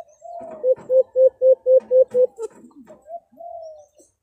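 A brown dove gives a quick run of about eight low, hollow coos, evenly spaced, then a few softer, trailing notes.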